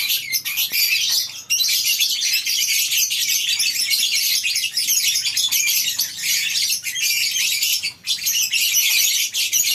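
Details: A colony aviary of lovebirds on a breeding farm in the morning, a steady wall of piercing, overlapping chirps and squeaks from many birds, easing only briefly a few times.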